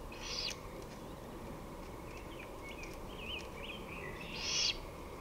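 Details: On 23 May 2018 at 5:53 pm a great horned owl gives two raspy hissing screeches, one at the start and a louder one near the end, while another bird whistles wavering notes in between.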